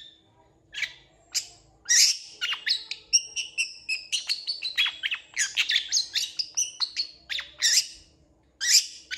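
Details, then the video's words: Long-tailed shrike in full, varied song, rapid bursts of harsh chattering notes mixed with whistled and buzzy phrases, delivered in dense runs with brief pauses; faint low hum underneath. "CENDET GACOR FULL ISIAN CEPAT DI RESPON PENTET LAIN"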